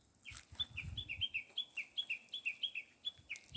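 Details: Small bird giving a rapid series of high, bright two-part chirps, each a short whistle dropping to a lower slurred note, repeated several times a second, with faint low rumbling underneath.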